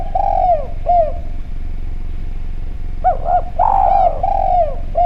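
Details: Spotted dove from Java, vocal and clear-voiced, lure sound meant to draw other doves into calling: soft arched coo notes, a pause, then a run of coos ending in long falling notes, with constant low background hum.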